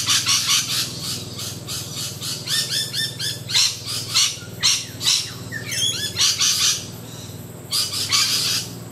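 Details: Several rainbow lorikeets in low branches keep up a continuous, overlapping chorus of shrill screeches and squeaky chattering notes with barely a pause.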